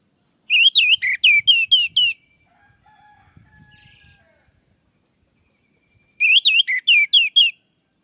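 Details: Energetic orange-headed thrush song for training and luring other birds: two separate bursts of about seven fast, swooping whistled notes, divided by several seconds of near-quiet with faint knocks and a soft thin tone.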